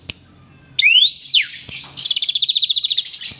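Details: Asian pied starling, a kept bird singing loudly and bobbing its head as it sings: a rising whistled sweep, then a rapid harsh trill of about twenty pulsed notes.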